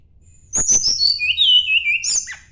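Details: Sunda blue robin singing while seeking a rival: a sharp click burst, then a cascade of high, thin whistles sliding steadily downward, ending with a brief rising-falling flourish.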